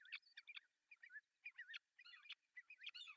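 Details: Osprey calls from an artificial nest in Pohjois Satakunta, Finland, June 10, 2024, when the male arrives with a big breakfast fish. Quieter, busy run of short, high, twisting chirps in quick irregular clusters throughout.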